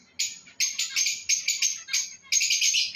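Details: Lovebirds of a breeding pair calling: grating, buzzy screeches in broken bursts of about half a second, each one rasping and high, with short quiet gaps between them and a faint low background murmur.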